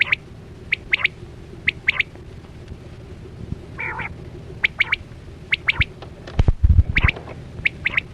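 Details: Chora quail lure call for net hunting: spaced sharp double chips roughly every second, one brief buzzy nasal note midway, and a loud low rumble of handling or movement near the end.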